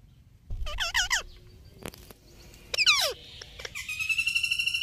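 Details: Indian ringneck parakeet talking, making wavering harmonic syllables and a sharply falling squawk, then a long buzzy rising phrase with rapid pulses toward the end; clicks heard between calls.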